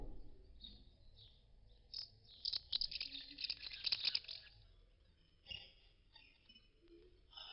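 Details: Common house martins (Delichon urbicum) settling to roost at their nests, some moving between nests, give dry, high chirrups and twitters, densest in a busy burst midway, then scattered notes over a faint low hum.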